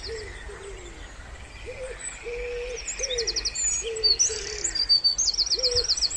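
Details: Spring pondside ambience: a wood pigeon coos in a low, rhythmic series of hollow notes, about one a second. Higher chirps and buzzy trills from other birds sound overhead.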